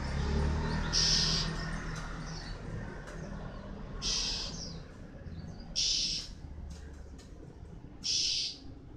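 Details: Moulting male white-eye producing four high, rasping bursts spaced roughly one to two seconds apart, with a soft low rumble underneath.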